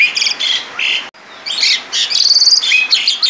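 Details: Vigorous Asian pied starling song packed with mimicked fill phrases: buzzy, harmonic chirps and squeaky high notes, broken by a brief silence, then a fast trilling stutter of sharp notes.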